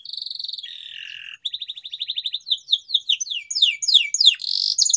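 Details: Canary song for stimulating silent canaries: a steady buzzing trill, a lower rasping note, a brief break, then a fast pulsed trill leading into rapid, varied whistled sweeps.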